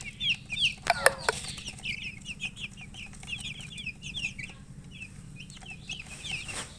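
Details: High, thin chicken chirps repeated in quick uneven runs, with a sharp clatter near the start and a constant low hum behind.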